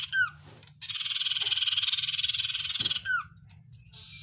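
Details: Oriental white-eye song in the 'sirtu isian luber banyak pedes' style: a brief slurred whistle, then a sustained pulsing buzzy rattle of about two seconds, another slurred whistle and a short final buzz.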